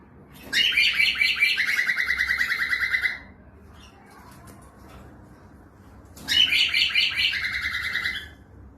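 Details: A pet cockatiel sings without rhythm: two bursts of bright, rapid warbling whistles, each about two and a half seconds long, with a short quiet gap between them.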